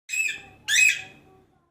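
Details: An Alexandrine parakeet, a pet, gives two harsh, raspy squawks about half a second apart, each fading with a slight echo in a small room.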